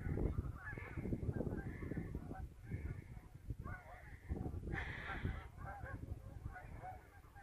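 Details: Several geese on a river on an afternoon scouting trip give a string of nasal honks, one louder, brighter call halfway through. Heavy low rumble, possibly wind, runs underneath throughout.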